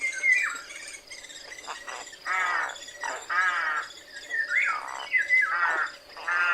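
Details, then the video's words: Rook calls: grating, squawking caws mixed with a few shorter down-slurred cries, irregularly spaced across several seconds, some rasping and broad, over a faint steady background hiss. "SONIDO DE GRAJO"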